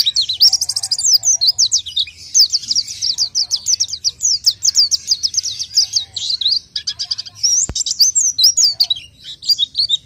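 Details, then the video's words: Orange-headed thrush, known locally as pelci, delivering its main song: a dense, continuous stream of high, quick slurred whistles and chips, steady for ten seconds, one sharp click near the end. "kicau main burung pelci"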